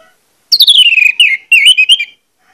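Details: Orange-headed thrush singing a loud, persistent lure phrase meant to rouse other orange-headed thrushes into song: one rich whistled phrase sliding downward, then a second looping, warbled whistle, both clear with no background.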